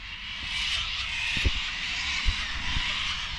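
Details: Flock of cockatoos calling loudly and wildly outside a shed on a seven-acre rural property, a continuous dense wash of harsh screeching with no gaps, plus a few low thumps.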